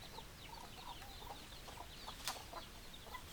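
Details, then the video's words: Scattered soft clucks from chickens, spaced unevenly, with high chirps overhead and one sudden sharp click-like burst near the end. "Chicken Sounds Noises Hens Clucking Roosters Crowing"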